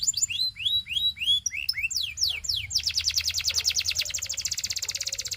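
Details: Canary singing for coaching young birds: quick chirps and hooked whistled notes, a run of falling slurs, then a long, very fast pulsing roll repeated evenly to the end.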